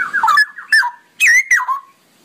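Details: Cucak rowo (straw-headed bulbul) in ropelan song, with rich warbled phrases and loud gurgling whistles sweeping down in pitch, in quick succession.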